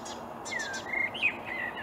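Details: Marsh warbler singing in reeds on an early May morning in 2020 at Upplands Väsby, Sweden: a brief run of varied song with quick clear whistles, rising and falling slurs and a few high sharp notes, over soft hiss.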